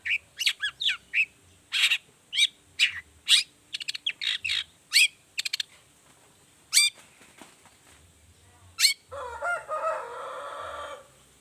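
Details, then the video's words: Long-tailed shrike's 'toet toet' lure song with varied whistles, harsh, squeaky notes repeated roughly every half second, a pause, then a lower, rough, warbling sound at the end. "pancingan cendet gacor toet toet variasi"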